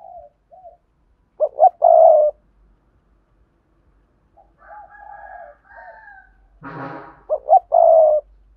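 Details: Spotted dove song in sa thúc and cooing styles for luring wild doves: hooked notes with long purring coos at start and end, softer overlapping coos between, and a brief harsh burst near the end.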